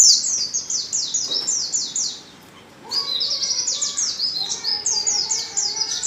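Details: Female white-eye in heat calling a male: rapid series of high, thin descending chirps in quick succession, a brief pause mid-way, then the fast chirping resumes with faint lower notes beneath.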